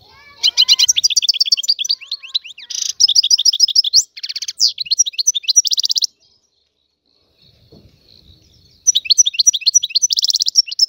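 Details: European goldfinch, an Algerian free bird, pouring out dense tinkling, chattering song with buzzy trills for about six seconds, a near-silent pause with a faint thin tone, then the twittering resumes.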